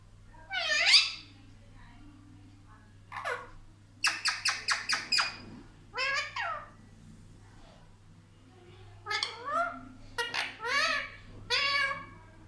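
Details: Pet talking parrot, said to talk like a child, kept indoors; bursts of loud, harsh, speech-like utterances with rich harmonics, including a run of five quick choppy syllables, separated by short quiet pauses and a low steady hum.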